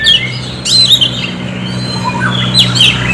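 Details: Oriental magpie-robin singing a lure song, played to stimulate other birds to sing: whistled and squawky phrases with slurred notes, set over a steady low hum.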